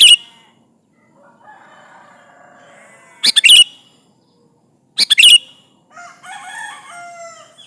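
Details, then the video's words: Sooty-headed bulbul calling rivals for use as a lure, with two loud brisk phrases of quick piped notes and stretches of softer warbled chatter before and after. "Suara burung kutilang gacor memanggil lawan"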